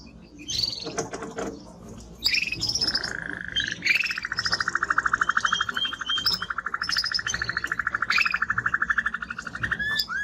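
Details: Male timbrado canary singing strongly: scattered chirps open into a long, even, low rolled trill lasting several seconds, with high twittering notes over it.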